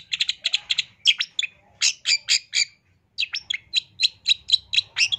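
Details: Masteran song of a long-tailed shrike, lively and full of 'isian' phrases: rapid bursts of high chipping notes at about four per second, a brief pause, then another fast run of bright repeated chips.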